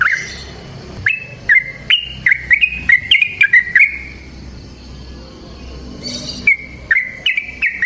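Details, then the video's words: Yellow-vented bulbul singing a long rolling wild-type song used as bait for other bulbuls. Two bursts of bubbly, slurred chirps are separated by a quiet gap of about two seconds, over a faint low background hum. "Trucukan GACOR ngalas ROPEL PANJANG suara alam AMPUH buat pancingan"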